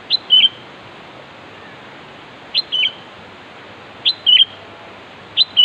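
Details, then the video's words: Sooty-headed bulbul calling to challenge a rival. A brisk whistled phrase of a sharp upslurred note and a slurred downward whistle repeats about every one and a half seconds, four times, over constant background hiss. "Suara Burung Kutilang Memanggil Cocok Untuk Menarik lawan"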